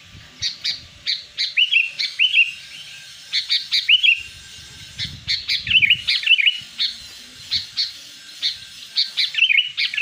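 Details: Sooty-headed bulbul (kutilang) lure call, used to draw in wild birds and to prompt kutilang that have stopped singing: bursts of bright, bubbly chirps and short warbled phrases, repeated in quick clusters with brief pauses between groups.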